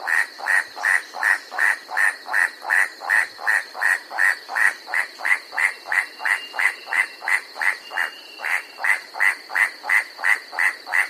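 A White-striped Forest Rail gives an incessant, dry clacking, about three notes a second in a steady unbroken series, with a thin high insect-like hum running behind.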